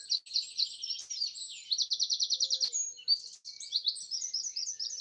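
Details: Several birds singing together in trees in Broadford, Kildare, Ireland, early on Easter Sunday morning 2020: rapid high rattling trills and twittering phrases overlapping, with no other sounds.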